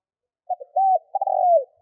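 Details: A single cooing phrase from a spotted dove kept as a lure: soft short hoots, a longer even coo, then a rolling falling coo, clean and without other sounds.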